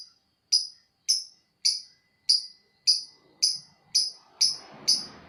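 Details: Lovebird 'ngekek' song: sharp, high, clipped chirps repeated roughly every half second at a steady beat, with a soft rustling noise rising near the end.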